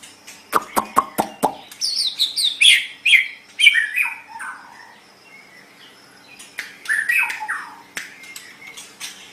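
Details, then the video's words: White-rumped shama song for training cage birds: a volley of loud sharp clicks, then varied rich whistled and warbled phrases, a quieter gap, and more clicks and slurred whistles. "SUARA MASTERAN - Ocehan Burung Murai Batu"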